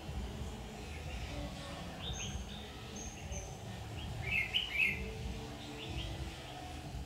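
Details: Red-whiskered bulbul used as a trapping decoy, singing to draw in wild birds on 7 August 2019; soft scattered chirps build to one louder, fluttering warbled phrase midway, with constant low-pitched rumble underneath.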